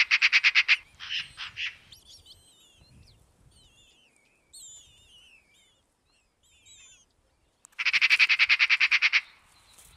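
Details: Eurasian magpie (Pica pica) at a Russian forest edge gives a harsh, rattling chatter of rapid dry notes in two bursts, with thin whistled notes from smaller birds in between.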